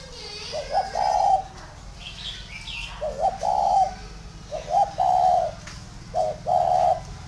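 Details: Spotted dove, big and tamed, sings four clear cooing phrases, each a quick short note leading into a longer mellow, burry coo, about every one and a half seconds. Soft chirps are heard between them.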